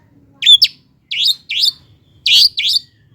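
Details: Short burst from a long-tailed shrike lure recording meant to get lazy birds singing: five rasping, high chirps in quick, uneven pairs.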